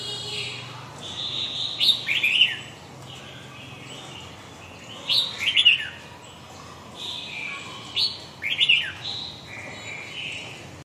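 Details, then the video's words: Red-whiskered bulbul, huế gọng dài song type, delivers four bubbly whistled phrases of quick descending notes, spaced a few seconds apart, with faint warbling between. "huế gọng dài"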